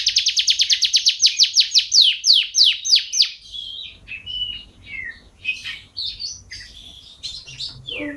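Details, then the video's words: Canary song in 'gacor' form, beginning with a rapid string of descending sweeping notes, then softer varied whistles and short chirps. "suara burung kenari gacor"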